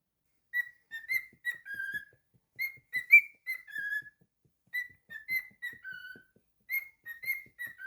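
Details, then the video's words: Pet cockatiel whistling a tune indoors: clear whistled notes in short phrases, some rising and some falling, grouped in bursts with brief pauses between them, in a quiet room. "A super talented cockatiel"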